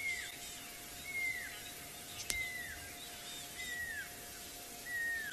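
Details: Pearl-spotted owlet calling in the evening on 28 May 2018, while small birds nearby give alarm calls, possibly mobbing big cats: clear, descending whistled notes about one per second over a steady low hum, faint chirps and one sharp click.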